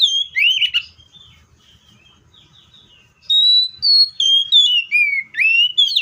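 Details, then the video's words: ['Seychelles magpie-robin song opening with a loud slurred burst and soft faint notes, then after a lull a rapid run of clear, varied whistles, some flat and some swooping down or up.'] "COPSYCHUS SECHELLARUM BIRDS SOUNDS LIKE IN NATURE LOUD CLEAR SOUNDS"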